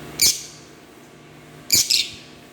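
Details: Green Fischer's lovebirds give two harsh, high squawks about one and a half seconds apart, the second doubled.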